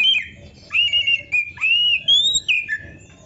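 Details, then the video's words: Oriental magpie-robin in strong song, meant as a master recording for training songbirds: loud slurred whistles, some held level, others falling, in short phrases with brief gaps. "MASTERAN KACER GACOR FULL ISIAN !! - Suara Burung Kacer yang cocok untuk Latihan kicau"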